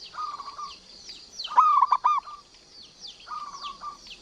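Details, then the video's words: Zebra dove, a local lively singer meant to provoke and lure other doves: soft trilled coos, then a louder rolling phrase of several quick notes, set against high falling whistles from other birds. "PERKUTUT Lokal GACOR cocok BUAT Masteran BURUNG MALAS BUNYI"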